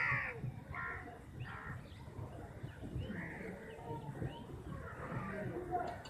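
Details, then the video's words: Crows, a flock of around fifty, fighting while eating chapati; a few rough caws open the passage, then fainter overlapping calls continue over a busy, rumbling background. "1 vs 50 crow || crows biggest fight || crow eating chappiti || crows sound"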